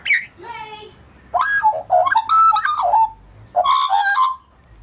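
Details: Scruffy young male Australian magpie from 2014 warbling: opens with a high squeak and a steady harmonic tone, then tumbling, mellow whistled phrases that rise and fall, ending in a scratchy burst and a falling whistle.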